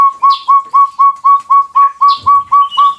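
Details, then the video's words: Loud long call of the chestnut-bellied partridge, endemic to Java in Indonesia: clean, upslurred whistled notes repeated about four times a second, with a few faint high bird chirps behind. "suara panjang PUYUH GONGGONG"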